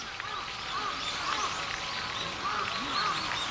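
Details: A Brown-eared bulbul gives short, arched, squeaky call notes, several in quick succession, over a steady background hiss, on a mild late-autumn day.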